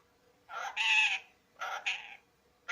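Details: Pet parrot that has started talking: two short throaty, voice-like phrases with harmonic bands, the first about 0.7 seconds long and the second shorter, separated by a one-second pause, in a quiet setting.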